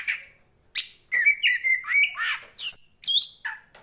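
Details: Poci Oriental magpie-robin from Tretes, a bold singer used for training others of its species: a lone call, then a quick string of level and falling whistles and a few high sharp notes.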